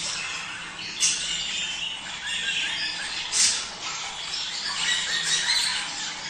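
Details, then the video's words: Budgerigars whose sound is said to stimulate mating: a continuous, dense high-pitched chattering warble, with brief louder scratchy bursts near one and three and a half seconds. "صوت تحفيز البادجي على التزاوج"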